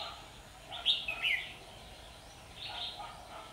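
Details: Red-whiskered bulbul at a trapping site on 27 September 2019 with fighting birds; one loud chirpy warbled phrase, then a softer, fainter phrase later, over background hiss.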